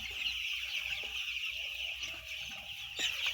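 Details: Thousands of white chicks calling together: a dense, continuous wall of high, shrill peeps, with a low background rumble throughout.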